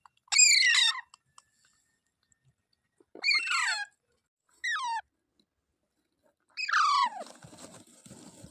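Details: Parrot letting out sharp, downslurred squawks spaced several seconds apart; the last one fades into a rough background hiss.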